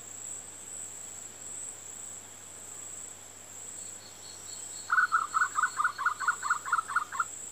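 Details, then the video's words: A Sri Lanka frogmouth gives a fast run of about a dozen cackling mid-pitched notes near the end, over a constant high insect whine. "Srilankan Frogmouth Call"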